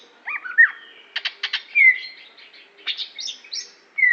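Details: Greater green leafbird from Aceh, a kept songbird: varied song of slurred whistles, rising and falling notes, short bursts of quick buzzy chatter and clear sustained whistled phrases, loud and clean with little background.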